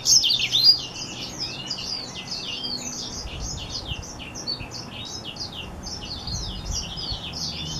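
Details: A hybrid between a black-throated seedeater and a Reichenow's seedeater delivers a long, rambling warble of high, quick slurred chirps and twitters, each note sweeping up or down, running on almost without a break.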